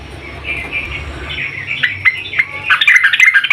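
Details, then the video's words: Female yellow-vented bulbul calling for the male: soft twittering at first, building into louder, quick chirps and a lively burst of chatter at the close. "Kicau trucuk BETINA memanggil JANTAN"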